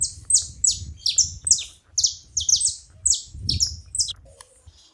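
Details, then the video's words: Several saffron finches chatter in rapid, high, down-slurred chirps, often doubled and overlapping, for about four seconds before fading, with a faint low rumble underneath. "Canarinhos da terra junto fazendo barulho"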